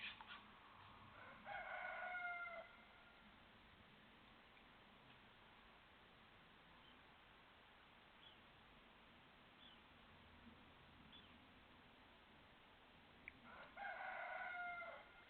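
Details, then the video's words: Cockerel giving two separate crows about twelve seconds apart, each a loud, strained, harmonic cry lasting about a second and a half, with quiet background and faint distant bird calls between them. "Cockerel crowing"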